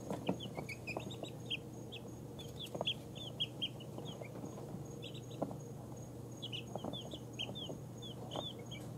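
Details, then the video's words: Baby chickens two weeks old, including ISA Brown, Barred Rock, Easter Egger, Speckled Sussex and Australorp, dozing off; steady series of short, high, slightly falling peeps, several a second, in loose runs over a faint hum. "Cute baby chickens falling asleep"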